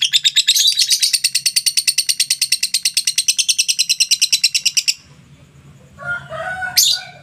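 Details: Lovebird ngekek trill for about five seconds, a quick regular chatter of high harsh notes, then it stops; after a pause come a few scattered squeaky chirps and low hum.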